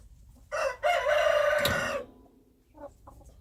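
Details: Wild chicken crowing: a short note, then a long loud harsh crow of about one and a half seconds, followed by soft clucks.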